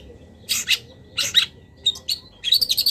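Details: Long-tailed shrike singing a full song packed with mimicked phrases, recorded to train cage birds: harsh, scratchy bursts followed by a quick run of thin, sharp whistled notes, over a low background hum.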